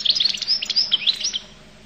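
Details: Brief outburst from a Collo goldfinch: rapid liquid twittering and slurred high notes for about a second and a half before fading out.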